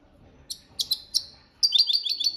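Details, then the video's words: European goldfinch delivering copia Malaga training song: three spaced sharp high chirps, then a fast rhythmic run of bright tinkling notes repeated several times. "Jilguero Cantando la copia malaga _ Goldfinch bird singing the wonderful sounds for training songs"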